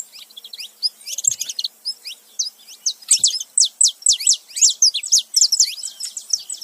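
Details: A male and female saffron finch calling together, high sharp chirps building into a dense stream of steeply falling notes over the last half.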